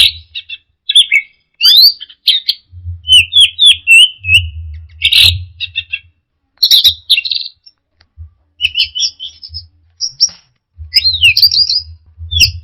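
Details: Long teler-style outpouring from an orange-headed thrush, with varied chirps, sweeping slurs, rattling buzzes and sharp clicks in quick succession and brief gaps, plus recurring low thumping in the background.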